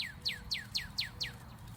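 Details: A Northern Cardinal in southern Indiana gives a quick series of six clear, downslurred whistles, each dropping sharply in pitch, about four per second, over a faint low rumble.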